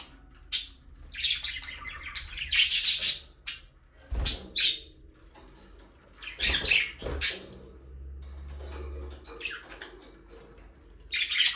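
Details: Several budgerigars in a small aviary, playing and flying free, trading loud scratchy chirps and squawky chatter in irregular bursts, with a few low thumps and a brief low hum.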